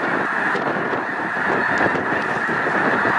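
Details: Over a million Snow Geese gathered at Loess Bluffs National Wildlife Refuge, 21 February 2020, fine weather; unbroken din of countless overlapping nasal honks, uniform throughout.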